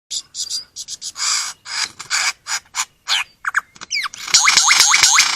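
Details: Lyrebird, a forest bird from Australia, delivering a varied run of short separate phrases: scratchy high bursts, then clear looping whistles that sweep up and down. The last second turns into a rapid series of rising whistled notes.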